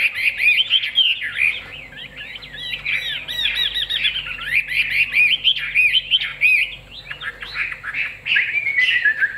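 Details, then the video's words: A big-tailed Chinese hwamei, noted as a strong, loud singer, pours out a loud, unbroken song of rich whistles, slurred phrases and quick chattering notes, varying constantly at a fast pace with no other sounds heard. "Họa mi đuôi lá vả bóng bộ đẹp hót hay"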